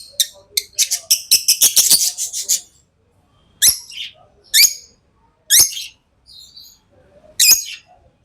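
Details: Tame pet lovebirds chirping: a rapid burst of shrill, high chirps in the first two and a half seconds, then single sharp chirps spaced about a second apart, with quiet gaps between.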